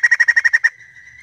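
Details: Female white-crested laughingthrush with eight rapid harsh pulsed notes, followed by a faint steady tone.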